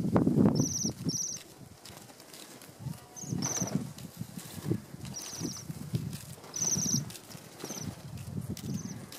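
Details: Wild Bohemian waxwings eating apples from a hand on Fair Isle, Shetland, Scotland, in November, recorded close on a pocket camera: high, thin ringing trills repeated every second or two over rustling and handling noise.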